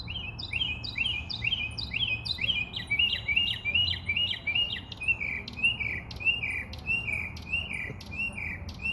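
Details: Bird chirping steadily for several seconds, quick sharp double-noted chirps at first, slowing into evenly spaced, slightly descending high notes, with faint low background noise.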